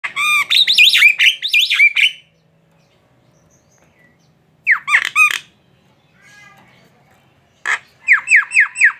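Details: Jalak (starling) song: loud bursts of squawky, whistled notes sliding up and down, three phrases separated by silent gaps, ending in a run of short falling whistles.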